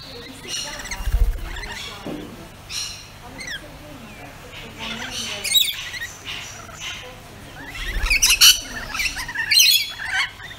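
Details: Pet rainbow lorikeets making a busy mix of shrill chattering notes and harsh screeches, which come thicker near the end, with a few low thumps in the background.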